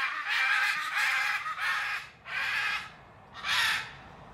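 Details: Macaws let out to fly free in the morning, calling with a run of loud, raspy, evenly spaced screeches, about five harsh bursts over four seconds, over a low background hum.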